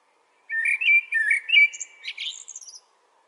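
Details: Blackbird from Asia singing one phrase of low, fluty, warbled notes that ends in a high, thin twitter, in clean quiet surroundings.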